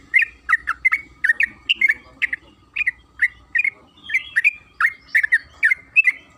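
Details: Long rapid chattering song of a yellow-vented bulbul (trucukan kebo), used as a lure to make other birds sing; liquid, bouncing notes repeated in quick pairs and triplets, with a thin steady tone behind.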